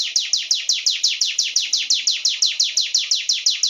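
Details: Rapid series of shrill, falling notes from a Sunda warbler, roughly five per second, each starting high and slurring down, delivered without pause.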